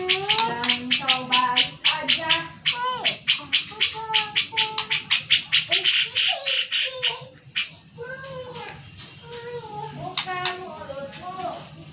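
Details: Grey-cheeked bulbul besetan meant for training fighter cage birds: a long run of raspy, scolding bursts speeding up, then slower grating notes mixed with short wavering whistles, against a faint steady hum.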